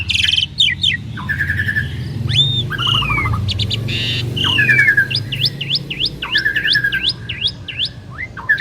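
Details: Two prized Asian pied starlings in duet: harsh rasps and clicking trills, then a regular run of sharp rising whistled notes repeated about twice a second, over a low background hum.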